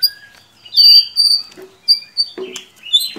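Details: White-rumped shama singing, used as a lure recording to get a reluctant shama to sing: high sustained whistles and short rising notes between crisp ticks and brief rattles.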